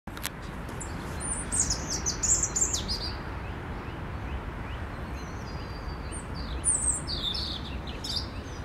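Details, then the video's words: A European robin sings thin, high, tumbling phrases in two bursts with a pause between, over a steady low rumble of wind or distant noise, 10 April 2021. "Śpiew rudzik"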